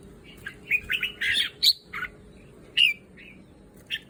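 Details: Caged breeding red-whiskered bulbul sounding a few mellow, bubbling whistles and sharp chirps in quick bursts, separated by short gaps, over a faint background hum.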